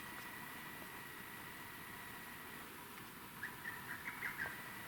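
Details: A lesser cuckoo, identified by a viewer, calling in a mountain forest in the middle of the night: a quick, faint run of about six sharp, whistled notes near the end, over steady background hiss and a thin, level high whine.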